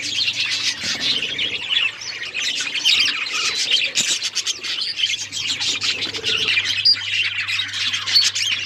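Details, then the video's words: Several budgies chirping together: a dense, continuous chatter of high twittering notes, squeaks and short warbles that overlap without pause, with a faint low steady hum in the background. "Budgies chirping sounds make me happy"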